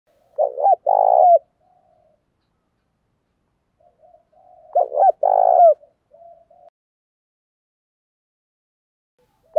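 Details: Decoy spotted dove giving its urging coo to lure wild doves into answering: two low cooing phrases about four seconds apart, each a quick stuttered double note then a longer throaty vibrating coo that drops at the end, with faint softer coos between.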